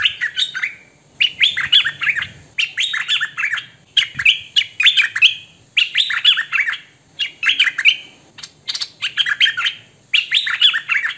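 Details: Captive hwamei singing steadily: dense clusters of loud, rolling whistles and slurs repeated in roughly one-second bursts, with a faint low rumble underneath at times and a single brief thump.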